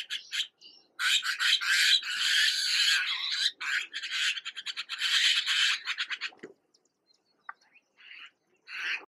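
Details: Young red-billed blue magpies, recently fledged, visited by a parent that feeds them, in Uttarakhand, India; harsh rasping squawks in fast, dense stuttering bursts forming two long runs, then a few scattered short notes and a brief final rasp.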